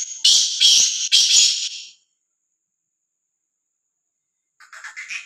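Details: A free-roaming, fearless black francolin calls: three loud, harsh, grating notes in quick succession, then a long silence before softer scratchy notes begin.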